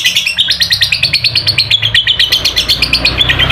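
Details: Lovebird ngekek song used as a lure to get a quiet lovebird singing: a long, rapid run of sharp high chirps repeated about once per second, steady and unbroken across the whole stretch, with a low hum underneath.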